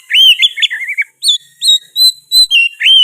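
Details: Loud, ringing oriental magpie-robin song with sooty-headed bulbul phrases: fluty slurred whistles at the start, then clean, evenly spaced whistled notes, each pure and slightly inflected, about five in two seconds.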